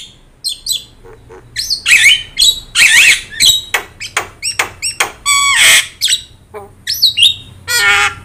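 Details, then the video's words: Javan myna with yellow eyes, a busy singer meant for tutoring other birds, delivering a varied stream of harsh rasping squawks, wavering whistles and clipped chips with hardly any gaps. "JALAK KEBO GACOR MATA KUNING | Untuk Masteran Kicau Jalak Mania"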